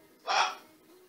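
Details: Single short, harsh, broadband squawk from a pet male Green-winged Macaw kept in Canada, lasting about a third of a second over a quiet background.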